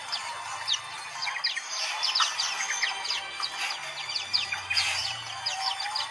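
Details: Many white-eyes sing at once in a dense, overlapping chorus of thin, high chirps and quick twittering phrases over a faint low hum, used as therapy to get silent white-eyes singing again.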